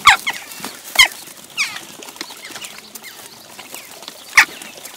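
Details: Western jackdaws squabbling while taking over a feeding station in Recke, Germany, recorded 18 June 2021 after breeding season with young present: sharp scattered calls over wing flaps and bustling noise.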